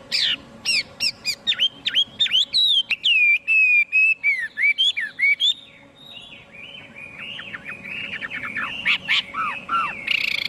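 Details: Chinese hwamei singing, with no background noise: loud, varied whistled phrases, rapid sweeping notes, then a softer run of warbling slurred notes toward the end.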